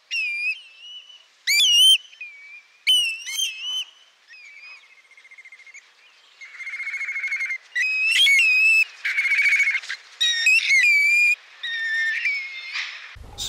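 Grey Plover giving clear, plaintive whistles, some slurred up and down, mixed with shorter chirps and a few buzzy, trilled phrases at high pitch.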